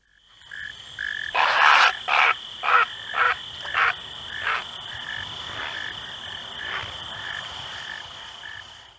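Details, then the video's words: Great blue heron calling from the shallows in the morning: about seven harsh, rasping croaks in quick succession over three seconds, then quieter. A steady high tone and short repeated beeping notes run in the background. "It's time for a morning wake-up call from the shallows. Listen to the prehistoric sound of the great blue heron."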